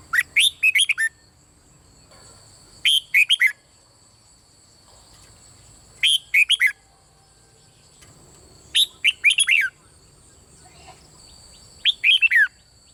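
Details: Red-whiskered bulbul of the 'bird' song type from Thailand, played to spur caged birds into singing: five brief bursts of three to five lively whistled notes, repeated roughly every three seconds, with a constant high-pitched background tone.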